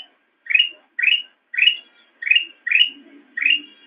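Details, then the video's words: Black-crested bulbul singing for cage-bird training, six loud upslurred whistles spaced about half a second apart, followed by a faint low murmur near the end. "Ocehan Burung Kutilang Emas"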